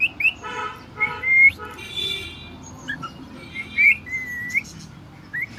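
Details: Cockatiel kept as a pet in the house, producing harsh buzzy chatter notes followed by clear rising whistles and a long drawn-out whistle near the end, with low room noise throughout.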